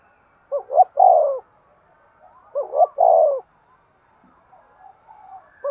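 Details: A spotted dove gives its stimulating coo, two clear phrases about two seconds apart. Each has a quick double note leading into a drawn-out, hollow coo, and a third phrase begins at the end.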